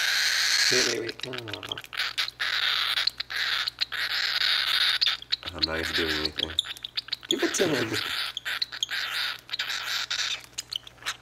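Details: Baby cockatiel chick begging for its baby food at feeding time: a continuous harsh, hissing rasp that pulses rapidly and unevenly, overlapped several times by people talking and exclaiming nearby.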